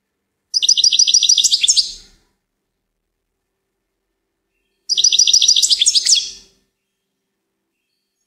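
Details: Two similar goldfinch song phrases, each about one and a half seconds of rapid jingling twitters, spaced roughly four seconds apart in otherwise quiet surroundings.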